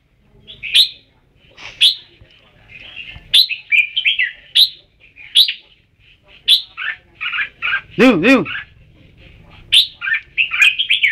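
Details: Red-whiskered bulbul singing a long, cheerful series of sharp chirps and rolling warbled phrases, with one harsh, buzzy call midway.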